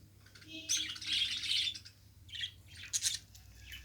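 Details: Pet budgerigar warbling in bursts of rapid, scratchy, high chatter mixed with short squeaky chirps, pausing briefly between phrases.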